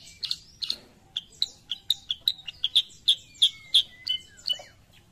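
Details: Sooty-headed bulbul, called kutilang sutra, in Indonesia: a lively run of short, sharp high chirps repeated about three times a second, some notes sliding or trilled, with a faint thin whistle running beneath.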